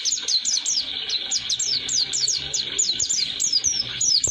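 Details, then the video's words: Pleci (Oriental white-eye) delivering its roll-duration song for tutoring birds: a fast, even run of high downslurred chirps, several per second, sustained for the whole stretch over a quiet hiss. "Kicauan Pleci Atau Si Burung Kaca Mata Roll durasi Cocok Untuk Pemasteran"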